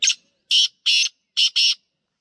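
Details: Wild black francolin calling outdoors, loud harsh grating notes in a rhythmic phrase: one note, then two paired notes, a pause, and another close pair, all quite high and rasping against a silent background.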